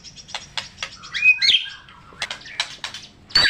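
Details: White-rumped shama with a full, rich-repertoire song used as a trigger for quiet shamas; scattered soft ticking notes surround a brief rising whistle and a louder harsh burst at the end.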